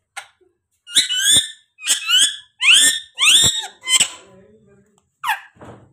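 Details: Pet parrot repeating short, harsh, rising chirps, about six in quick succession with brief gaps, ending in a softer, lower note.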